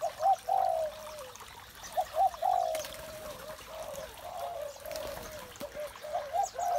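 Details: Spotted doves in the morning give short, hollow coos in loose bursts separated by quieter stretches, with a faint background of distant bird chirps.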